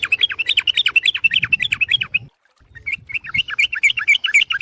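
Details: Yellow-vented bulbul calling to lure other birds: a dense, bubbling stream of jerky up-and-down chatter notes, briefly broken by a pause midway, with faint low background noise.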